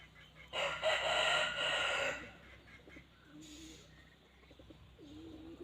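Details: Red junglefowl giving a rasping crow of about one and a half seconds. Faint, softer bird calls and low background noise follow.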